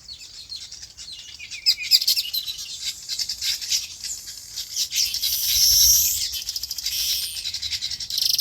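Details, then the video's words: Birds chirping in their natural habitat on a farm: a dense, high twittering chorus of many birds, with a swell of louder chatter around the middle. "Relaxing Bird Chirping Sounds"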